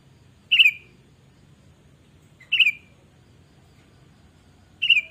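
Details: Sooty-headed bulbul in full voice, used as a lure to prompt other birds to sing: three short, bright, fluty notes, each spaced about two seconds apart, with silence and faint low hum between them.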